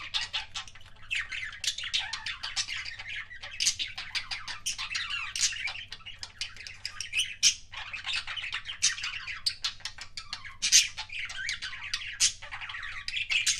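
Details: Budgerigar kept as a pet making kissing sounds: long, unbroken warbling chatter of buzzy clicks and squeaky chirps, rapid and irregular, with a faint steady hum in the background.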